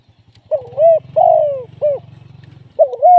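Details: Live decoy spotted dove used for trapping, cooing in a phrase of two long smooth notes and a brief final coo, then starting over. A low, steady pulsing drone runs beneath most of the phrase.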